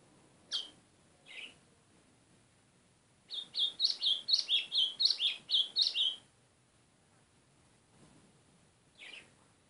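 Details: White-throated seedeater singing: a fast run of about a dozen bright, high chirped notes, roughly two per second, after a few scattered single chips. The background is quiet.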